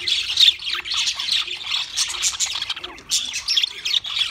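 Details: Pet budgerigars warbling in loud bursts of squawks and chirps, the chatter rising and falling with short lulls in between.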